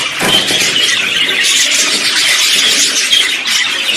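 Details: Budgerigar song mix of contact calls and courtship song; constant high twittering with a few clear short whistles standing out above the chatter.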